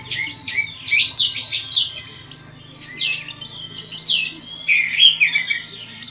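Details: Kacer poci, an Oriental magpie-robin from Java, in ngobra singing: bright, sweeping whistles and sharp chirps come in clustered bursts about once a second, with a brief quieter gap midway and a faint low hum underneath.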